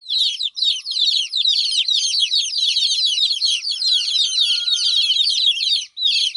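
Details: Chicks of a hen crying while their mother is away: a dense, continuous chorus of high, sharp, downward-sliding peeps from many birds. A faint thin tone runs briefly underneath in the middle.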